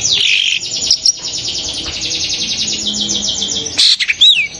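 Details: Long-tailed shrike calling, a sound claimed to make other shrikes excited and sing straight away: a loud opening burst, then a fast even trill, ending in a buzzy note and a curling whistle.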